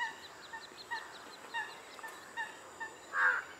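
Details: Little grebe family at Kaikondrahalli lake, 17 Aug 2021, with both parents constantly feeding small young: short, nasal peeping notes at two or three a second, one louder, fuller note near the end, over faint hiss.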